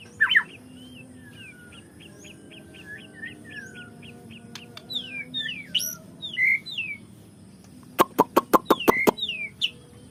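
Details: White-rumped shama song played to provoke another shama into its full repertoire: a run of short repeated whistled notes, then twisting slurred whistles, ending in a rapid burst of sharp clicks over a low hum.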